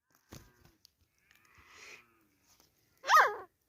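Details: Grey francolin (teetar) during a fight gives one loud, harsh, nasal call near the end, rising then falling, after faint scuffles and soft rustling.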